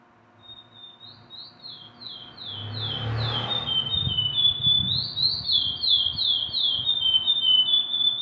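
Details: Curió delivering a long whistled song: a steady opening tone, descending slurred notes, a brief blur of noise mid-phrase, then a fresh run of rapid downward whistles repeated evenly to the end.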